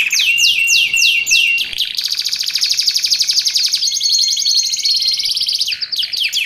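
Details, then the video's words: Canary singing to train and lure canaries: a run of repeated down-slurred notes, then a long rapid trill with thin whistled tones, ending in quick sweeps. "Suara Kicauan Burung Kenari Menggila Untuk Masteran Dan Pikat"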